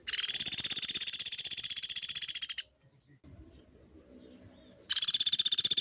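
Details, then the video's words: Sunda pygmy woodpecker (pelatuk beras) in full, long rolling song used for training caged birds: a high, dry, rapid trill lasting over two seconds, then silence before another trill begins. "SUARA MASTERAN BURUNG PELATUK GACOR"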